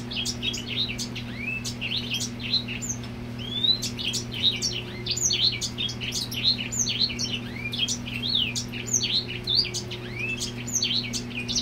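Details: Grey Singer male serenading a female with a busy stream of sharp twittering notes and brief upslurred whistles, sustained throughout, over a constant low electrical hum.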